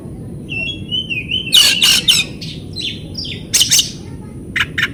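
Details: Oriental magpie-robin song used to draw a response from birds that no longer sing. A wavering whistle slides down, then harsh scratchy bursts, short whistles and a few faint clipped notes follow.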